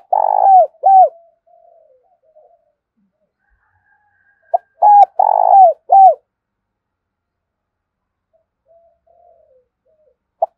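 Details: Decoy spotted dove calling to lure wild doves for trapping: two phrases of low, hoarse, rhythmic coos, the first at the start and the second after a long pause, with faint soft murmurs in between.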